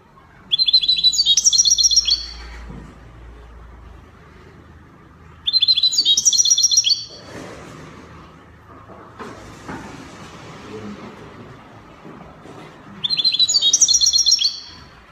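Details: European goldfinch, copia-style song from Morocco: three short bursts of fast, high, metallic trills, each about one and a half seconds long and several seconds apart, with faint background hum and a passing vehicle-like noise between.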